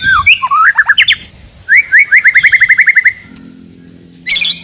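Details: White-rumped shama song meant to provoke rivals and test young birds: mixed slurred whistles, then a quick run of about a dozen repeated rising notes, a pause, and a harsh burst at the end.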